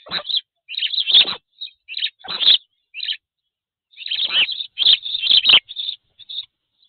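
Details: A male Spanish sparrow near Palencia, Spain, on 27 June 2024 chirps in quick, harsh bursts of high notes with short pauses between; no other sounds stand out.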